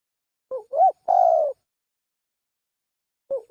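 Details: Spotted dove lure call: one three-part coo of two short wavering notes and a longer falling coo, then silence and the start of the next phrase cut off at the end.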